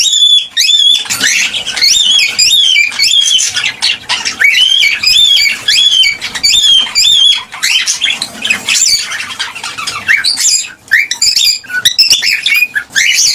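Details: A gray cockatiel chirps and sings steadily, repeating bright, warbling whistled notes that rise and fall.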